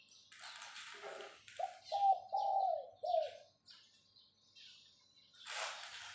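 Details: Caged decoy spotted dove calling phao-phao to attract other doves: a short sequence of soft, low, slightly rising coos in the middle, framed by bursts of rustling and clattering noise.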